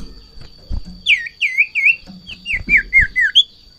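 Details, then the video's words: Golden-bellied gerygone in breeding condition, excited by a rival or female, gives a quick series of about eight sweet whistled notes, each dipping then rising. There are dull thumps before the notes and a faint constant high tone. "Sirtu Ngamuk Narung !! Garuda Birahi Over"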